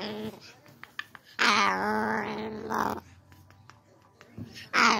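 An umbrella cockatoo sings one long, voice-like, wavering note for about a second and a half. Short squawky bursts come before and after, over quiet indoor room sound.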